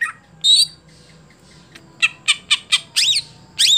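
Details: A caged greater green leafbird that has stopped performing at song competitions gives harsh, high squawky notes: an opening burst, then four sharp notes about a quarter second apart, ending in rasping slurred phrases.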